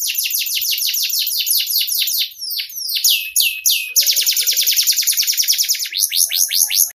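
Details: Clear canary song as a master recording: rapid descending chirps, a few slower slurred whistles, then a long fast metallic rolling trill.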